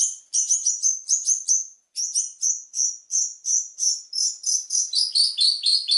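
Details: Long-tailed shrike training song for teaching other birds, with rich varied content: a rapid run of thin, high chirping notes, then an evenly paced series of sweet whistled chips about three per second, ending in slightly lower buzzy notes.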